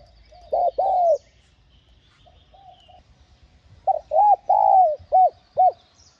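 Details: Spotted dove cooing to lure wild birds: a double coo, some soft low notes, then a full phrase of stuttered start, arched coo, long falling coo and two short clipped coos.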